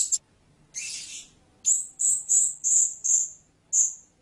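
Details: A blue-crowned hanging parrot gives a harsh buzzy burst, then about six shrill, high notes evenly spaced, each a short, squeaky whistle.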